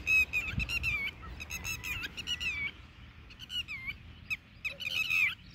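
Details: Red-wattled lapwing guarding its eggs on the ground, fighting off dogs searching for the eggs and diving at the person recording, gives shrill, strident alarm notes in rapid repeated bursts, some sliding downward, with faint background noise.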